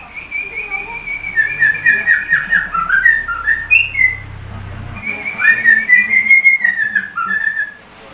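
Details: Sooty-headed bulbul singing in white-rumped shama style, a long continuous stream of whistled notes, level tones breaking into fast wavering slurs, with a brief lull near five seconds before the whistling resumes.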